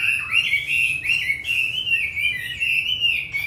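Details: Caged Hwamei, Hanoi, Vietnam, in the wild-voiced singing style, pouring out one continuous bright warble of slurred, wavering whistles with no pause.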